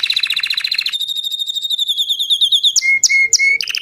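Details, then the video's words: Crested white Belgian canary singing a buzzy two-tone trill, then a smooth steady trill, and three clipped notes over a lower held tone before another rattle. "Canário belga branco de topete cantando"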